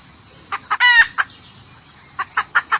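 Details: Hen calling the rooster: a few short clucks, then one loud, harsh, drawn-out cackle lasting about a quarter second, followed by more spaced clucks, over a steady high-pitched background hum.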